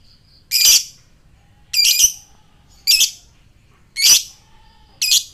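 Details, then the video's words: Fighter lovebird used to provoke a ngekek from other lovebirds: five rasping, shrill squawks spaced about a second apart, with quiet pauses between them. "Lovebird fighter ngetik NGEKEK koek,ampuh memancing lobet bahan cepat respon dan NGEKEK"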